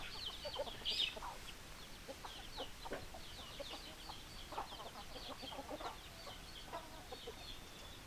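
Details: Chickens calling together: one loud shrill squeak near the start, then a busy mix of high descending peeps and lower clucking notes over a soft hiss.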